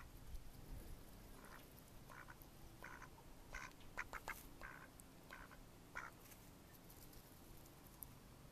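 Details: Mallard ducks, May 2014, uttering scattered, soft nasal quacks at irregular intervals against a hissing background.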